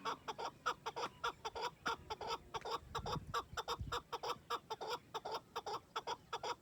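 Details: Chakor (chukar partridge) calling in a fast run of harsh, clucking chak notes, about two to three per second, kept up steadily throughout with little change in pitch or spacing.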